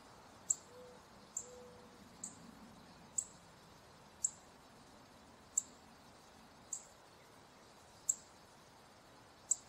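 A male Northern Cardinal gives sharp, high, metallic chips, one roughly every second, over a soft, steady background hush.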